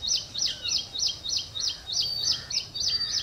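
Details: Ashy prinia, recording resembling ciblek semi: steady, rapid series of high sharp chip notes, roughly three per second, each with a short down-slurred tail, over faint background noise.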